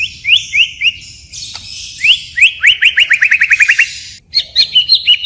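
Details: White-rumped shama singing in its forest-voice style and switching phrases constantly: slurred rising whistles, then a fast run of about ten sharp upswept notes, ending in high twittering phrases.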